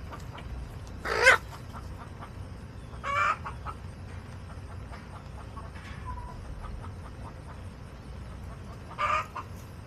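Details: Hens in a backyard flock, recorded August 28, 2024, give three loud, harsh, broadband squawks spaced a few seconds apart, with faint soft clucks and a short tonal note between them over low rumbling background.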